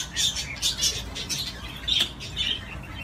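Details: Budgerigar playing on a swing utters a short series of separate sharp squeaky chirps and squawks, about five spaced notes, plus a harsh click-like note in the middle.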